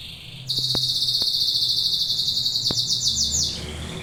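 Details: Song of a domestic canary, Serinus canaria: after a brief soft note, a loud rapid rolling trill starts at half a second and runs steadily for three seconds at high pitch, then fades into quieter notes; occasional sharp clicks behind.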